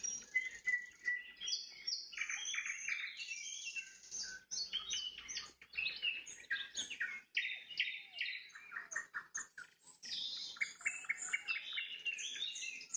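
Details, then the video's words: At sunset a nightingale pours out trills, rapid repeated notes and high whistled phrases, tightly packed, with a brief break around the middle. "Пение соловья на закате, соловьиные трели"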